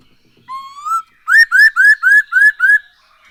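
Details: Lure song of the black-throated laughingthrush for prompting birds to sing: one long rising whistle, then six loud evenly spaced upslurred whistles, each about a quarter second apart.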